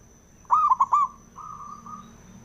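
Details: Zebra dove male (perkutut) singing to provoke other doves: a single rolling phrase of four mellow pulsed coos, followed by two softer level hums, against low rumble and a faint steady high tone.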